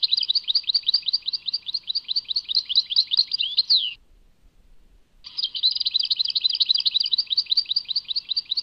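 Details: A European goldfinch delivers Tadmait song in two long runs of rapid, repeated chirping notes, tinkling and slightly buzzy, separated by about a second of silence.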